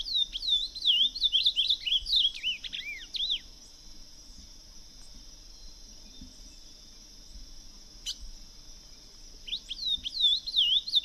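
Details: An ultramarine grosbeak in the wild sings two rich, warbled whistled phrases that rise and fall, separated by a long pause, over a steady high insect drone.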